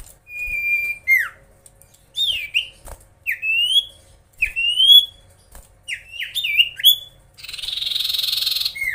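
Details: Common iora singing to provoke rival birds: a held whistle dropping into a downslur, then a series of rising and falling slurred whistles, closing with a loud harsh buzzing noise and one last whistle.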